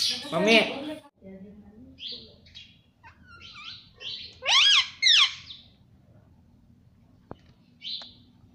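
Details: Pet rose-ringed parakeet kept indoors and taught to say "mummy papa": a rising, speech-like harmonic phrase, then loud paired harsh squawks, followed by a few short high chirps in a quiet room.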